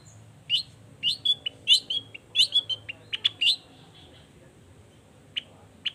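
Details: Long-tailed shrike singing to get other shrikes answering: a chattering phrase of quick twittering chips and short whistles for about three seconds, then silence broken by two isolated sharp notes.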